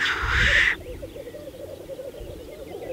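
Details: Spring lek of black grouse on Saaremaa in 2014: one harsh breathy hiss, then quieter low bubbling cooing continues beneath faint distant chatter.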